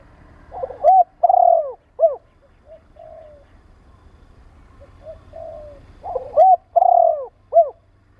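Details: Spotted dove used to stimulate and train birds, giving two loud three-part coos: a short hooting note, a longer rolling purr-like coo, then a brief rising-falling final note, with soft coos between phrases.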